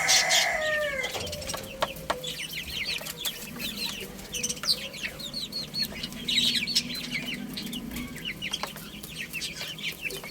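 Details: Baby chickens playing and eating, giving dense high thin peeps, many overlapping short chirps about four per second, with a longer harsh adult crow-like call at the start.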